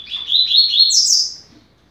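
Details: Double-collared seedeater (coleiro) singing in the fast 'rápido de bico' style, a tutor song for teaching young birds: one bright, rapid twittering phrase of about a second, climbing in pitch to a sharp high ending.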